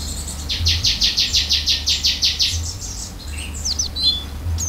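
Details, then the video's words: Oriental white-eye in full song, beak open: a rapid series of about twelve bright, high chirped notes at an even pace, followed by thin whistled slurs and sharp upslurred notes, over a steady low hum. "pleci gacor isian buka paruh"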